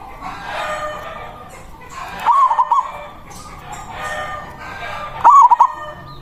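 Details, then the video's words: Loud local zebra dove whose song is used to lure and challenge rival doves: two short, stuttering cooing phrases roughly three seconds apart, with a broad hiss between them. "Perkutut lokal Suara Besar Ampuh memanggil lawan Bunyi manggung Langsung Nyaut"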